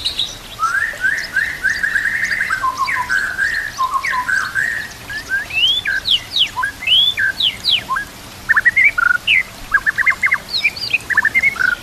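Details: A white-rumped shama pours out a varied song with kapas tembak and cililin canary imitations, used to train other shamas: warbled trilled runs give way to scattered steep whistles and sharp rising and falling notes.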